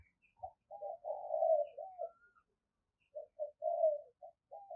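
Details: Spotted dove used as a decoy bird coos softly at a distance, with low, hollow phrases in two bursts separated by a pause. Faint thin chirps of another bird sit above.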